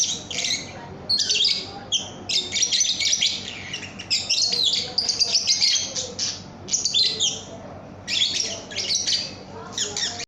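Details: Young lovebird singing, kept as a training recording for other cage birds; shrill, high chattering bursts and rapid chirps in dense clusters, pausing briefly between phrases about every second or two, with a faint background hum.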